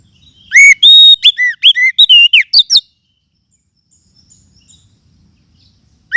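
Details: Forest oriental magpie-robin lure call for tutoring birds: one fast, loud run of about a dozen bright whistles and slurred notes, then near silence, with a new note starting at the very end.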